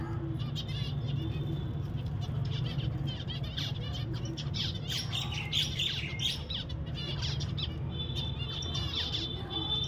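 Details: Pet zebra finches giving dense, overlapping short nasal chirps and buzzy notes, many birds calling at once over a steady low hum.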